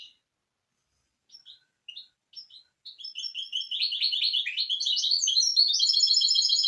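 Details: Misto hybrid canary on a training tape for fledglings, starting with scattered single chirps that quicken into a loud, steady, fast trill climbing slightly in pitch.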